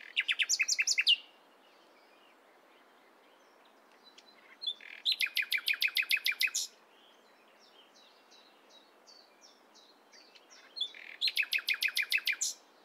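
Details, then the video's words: Nightingale singing at morning in three bursts of rapid, rattling repeated notes, each lasting about a second, separated by quieter, soft high chips and pauses of several seconds. "Nightingale Singing In The Morning"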